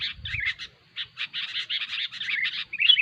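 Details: Sooty-headed bulbul, kutilang, in a noisy lure recording: rapid harsh chattering bursts broken by short slurred whistles that dip downward, with brief gaps between phrases.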